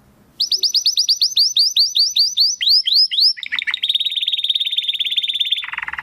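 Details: Crystal-voiced domestic canary song used for training contest birds: a long run of quick, clear, high whistles sliding downward, speeding into a rapid warbling roll and ending on a lower buzzy trill, against a quiet background.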